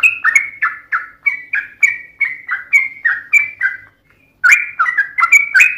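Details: Yellow-vented bulbul, or trucukan, in long 'ropel' fighting song: regular series of bright downslurred notes, a half-second gap, then faster, louder chattering phrases.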